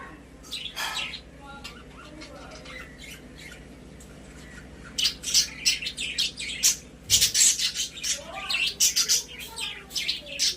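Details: Caged pet budgies chattering: quiet at first, then a burst of sharp, scratchy chirps and squawks after about five seconds, coming fast and uneven, in a small indoor room.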